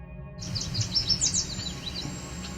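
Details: A Cedar Waxwing gives a very thin, high, drawn-out whine after a yellow warbler song, partly hidden by busier birdsong and low rumble; edge habitat near Otter Lake, Cape Chin North, Ontario, Canada, July 17, 2019.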